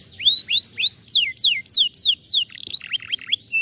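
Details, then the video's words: Canary singing, used to bring a bird that has stopped singing back into full voice: loud descending slurred whistles repeated about three times a second, then a quicker run of shorter chirps. "jadikan kenari macet bunyi kembali gacor"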